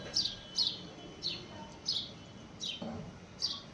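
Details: Bright, clipped house sparrow chirps, about seven of them, each falling slightly in pitch, delivered in a loose rhythm over a soft low rumble.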